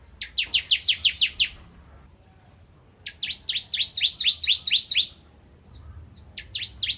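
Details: Tutor song of a bar-winged prinia for white-rumped shamas: a burst of rapid high chips, a silent gap, then a longer phrase of doubled sliding chirps, ending with a few more notes.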